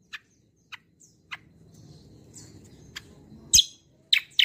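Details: Javan grey-throated white-eye, used as a lure and singing model, giving scattered sharp single chirps over a low background rumble, ending in a few louder harsh notes.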